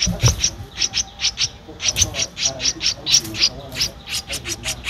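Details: From Ubon Ratchathani, Thailand, 15 April 2023, a Streak-eared Bulbul nestling aged 13 days utters quick, piercing high notes in an uneven stream, with a soft thump at the start.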